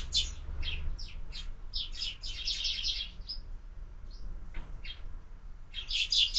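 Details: Sparrows at a window feeder one morning chirp in quick clusters, fall mostly quiet midway, then resume with a loud burst of tweets.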